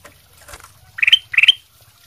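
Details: Masteran training song of a kutilang emas sutra: faint rustling, then two short, bright, warbled phrases, each rising at its end, about a third of a second apart.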